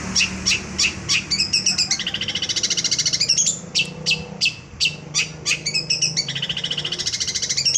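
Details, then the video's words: Vigorous 'gacor' song of a young long-tailed shrike with complete material: bursts of crisp high chirps alternate with long rattling trills, the pattern returning twice over about eight seconds, with faint low background hum. "Cendet bahan Gacor dor materi lengkap"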